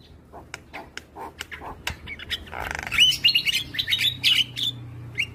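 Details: Very vocal white-eyed Javan myna singing in the morning, a recording for training other birds: soft clicks at first, then loud rapid chatter with bright whistled phrases.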